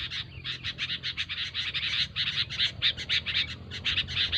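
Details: Sooty-headed Bulbul, a noisy lure recording for trapping bulbuls: fast, harsh, pulsing chatter repeated continuously, with a steady low hum underneath.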